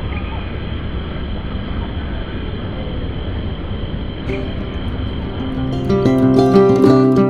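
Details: A low rumbling drone with a faint steady tone gives way to tonal music in the final seconds, and no animal voice is heard.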